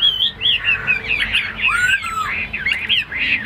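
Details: A captive, tame Chinese hwamei gives mellow whistled phrases mixed with rougher notes. A clear descending slur sounds in the middle, and rich warbling follows.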